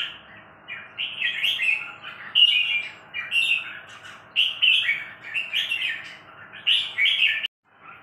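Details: A red-whiskered bulbul sings bubbly, warbling phrases that rise and fall, each lasting about a second, with short pauses between them and a steady faint hum underneath.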